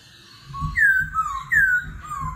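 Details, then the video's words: Laughingthrush in competitive singing with a forest voice, continuously changing its voice, in the 'kéo thuốc lào' style. Loud descending whistles, each trailed by a lower slur, repeat about every 0.8 seconds over low rumbling noise. "Khướu hót giọng rừng - hót đấu - đảo giọng liên tục - kéo thuốc lào"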